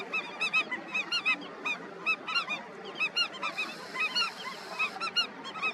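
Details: At a breeding colony, Indian skimmers call in a dense, irregular chorus of sharp, nasal, harmonic yelps, often in pairs or triplets, many birds overlapping over a soft hiss.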